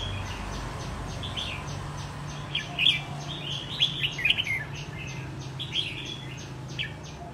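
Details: Caged red-whiskered bulbul, wild-caught and trained a year for singing competitions, gives several quick whistled phrases among a steady train of soft ticking clicks, over low hum.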